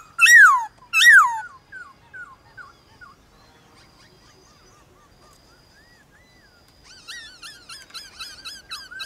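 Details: Morning singing contest between a White-cheeked laughingthrush and wild laughingthrushes: two loud descending whistled notes open, then faint soft notes and quiet stretches, ending with a fast series of repeated rich notes.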